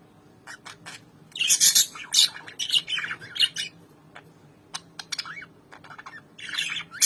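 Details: Albino lovebirds with red eyes, kept as pets, calling to each other after being reunited following more than four months apart: bursts of harsh, high screechy chatter and sharp squawks, with short thin chirps between bursts and quiet gaps.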